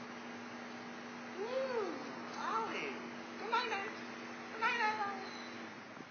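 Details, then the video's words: A pet bare-eyed cockatoo (little corella) showing off gives four drawn-out, arching, meow-like calls about a second apart, rising then falling in pitch, over a steady low hum. "bare eyed cockatoo showing off"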